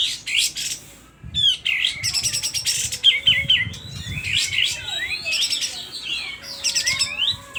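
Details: Loud, agitated sooty-headed bulbul from Aceh, tail open. A quick rising whistle series leads into buzzy rattling bursts and looping slurred notes, repeated across the clip.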